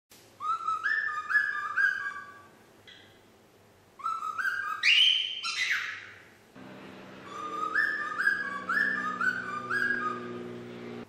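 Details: Nine-month-old female pet parrot learning to whistle Yankee Doodle, not yet getting it right: clear whistled notes stepping up and down in short tune-like phrases, broken by a loud harsh squawk in the middle.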